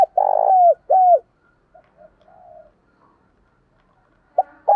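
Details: Spotted doves, a mix of males and females, used as decoys to stir and train other doves. Two loud, low, hollow coos with a falling end, soft murmuring notes, then another pair of coos begins.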